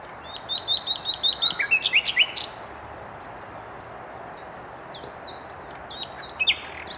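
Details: Common nightingale singing in Mils on 7/5/21: a fast series of about eight sharp repeated whistled notes, then a few rising slurred notes, a quiet pause, and softer clipped high phrases returning near the end.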